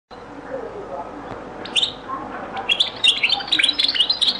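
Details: European goldfinch singing in the Beni Messous 'les avocats' (zaboka) song style, from a very old recording: quiet start, a brief high note near two seconds, then fast, bright twittering and tinkling phrases for the last two seconds.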